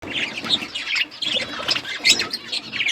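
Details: Budgies chattering together while eating food, a dense mix of short high chirps and squeaky warbles overlapping without pause.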